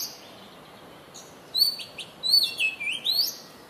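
An Oriental Magpie-Robin sings a varied run of sweet, clear whistles, slurred up and down in quick phrases, over a soft background hiss.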